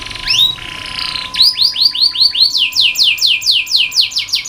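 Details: Canary song from a training recording for lazy or young singers: a buzzy trill with a rising whistle, then steady rhythmic descending swoops repeated about three per second, over a faint hum.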